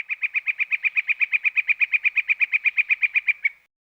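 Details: A Northern Flicker gives its characteristic rolling rattle, commonly heard in spring: about twenty-five even, ringing notes delivered rapidly over three and a half seconds, with no other sounds.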